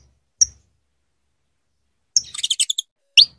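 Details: Female saffron finch calling to rouse her mate for breeding: one sharp, high chip, a pause, then a quick rattling cluster of bright notes, and finally a single steeply rising upslurred call.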